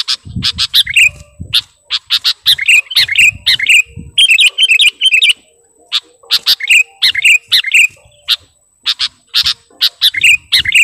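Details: Kutilang garuda (sooty-headed bulbul) singing actively toward a rival: quick bursts of sharp ticking notes, each run ending in a short downslurred whistle, repeated in clusters over about ten seconds.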